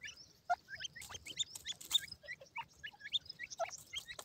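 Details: White grey francolin chicks at play with their feed make many short high chirps, some with a rising flick, interspersed with crisp pecking clicks.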